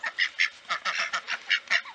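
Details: In the morning, two Khaki Campbell domestic ducks, noisy and eager, quack and squawk happily as they are let out of their pen and race to the puddles: rapid harsh nasal calls, four or five a second, with raspy squawks.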